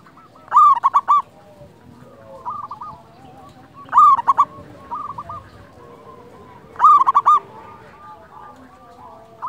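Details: Local wild zebra dove singing, a song to provoke and lure other doves. Loud phrases of four quick ringing coos repeat about every three seconds, three times, over a steady background of softer cooing doves.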